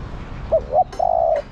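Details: Female spotted dove calling to a male: two brief low hooting notes followed by one longer, steady coo, with faint background hiss.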